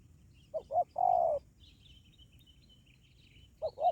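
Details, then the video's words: Spotted dove lure call meant to attract wild doves: two quick clipped notes and a steady mid-pitched coo, a faint high tone behind, then the pattern restarting with two short notes. "suara panggilan maut pikat ajaran dijamin tekukur liar dua menit mendekat"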